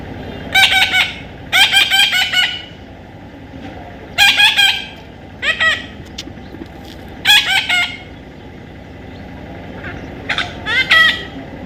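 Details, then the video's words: Baby parrot repeatedly giving short bursts of grating, nasal squawks, spaced roughly every one to three seconds over steady low background noise. "natural funny parrot sound"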